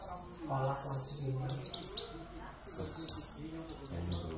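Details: Oriental white-eye, Javan race, kept as a caged pet and called gacor: high, thin downward-sweeping whistles in quick phrases over a low murmur of people talking.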